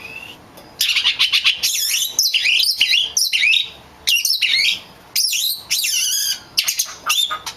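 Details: Oriental magpie-robin lure song meant to set other magpie-robins singing: loud bursts of varied whistles, slurs and high sweeping notes, each burst about half a second to a second, with short gaps between.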